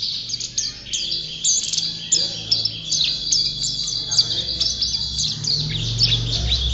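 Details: White-eye, described as a champion and prolific singer, delivering a rapid stream of thin, high chirps and sharp downslurred notes, steady and unbroken, with a soft low rumble in the background.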